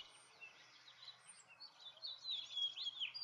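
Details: House finch singing a fast, jumbled warble of slurred high notes that grows louder and denser toward the end, over a faint background hum.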